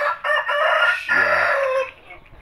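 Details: Rooster crowing in a chicken pen in Indonesia that keeps Shamo, Aseel, Indio and Thai breeds: two loud, harsh harmonic phrases, the second longer and falling at the end, with a man's voice faintly beneath.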